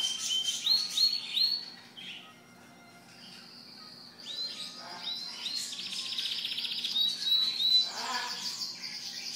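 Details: Several caged canaries singing in a bird shop on 5 May 2011: high, rapid trills and rolling warbles, with quick repeated chirps and bright whistled notes overlapping, a brief lull near two seconds, then a denser chorus building steadily, over a faint low hum.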